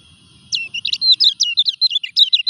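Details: Moulting common iora singing a fast chain of bright, slurred whistles that flick up and down, starting after a half-second of low background rumble and running to the end without pause.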